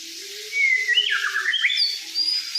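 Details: White-rumped shama, a fighter bird, singing: clear whistled notes sliding and dropping between mid and high pitch, ending in sharp high whistles, with a steady low hum underneath.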